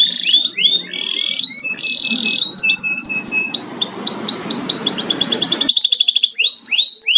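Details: Home-kept canary singing rapid swept whistles and trills over a steady broad background hiss, with a run of evenly repeated rising notes in the middle.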